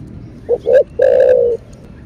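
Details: Spotted dove (cu gáy) single cooing phrase in the thổ bầu voice used to stimulate caged birds: two quick short notes followed by a sustained, steady half-second coo, with low background noise.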